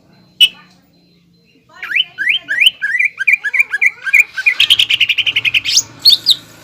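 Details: Provoking lure song of a greater green leafbird in 'nembak ngekek' style: a lone sharp note, then rising slurred whistles speeding into a dense rattling run of high chirps, with a faint low hum.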